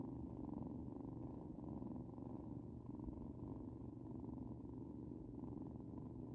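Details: Nestling starlings give a continuous low purr, a rough rolling hum that stays even in loudness throughout, with no other clear sounds.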